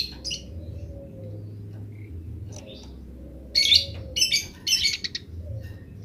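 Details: Wild house sparrows in grece-style chirping, wild birds answering. Sparse thin chirps lead into three loud, harsh chattering bursts in the second half, over a soft low hum.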